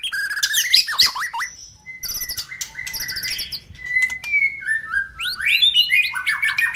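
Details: Male white-rumped shama song, used to prompt kept birds to answer quickly: a rich, varied run of bright whistles, rapid trills and sliding notes, with steady held tones and high chattering phrases.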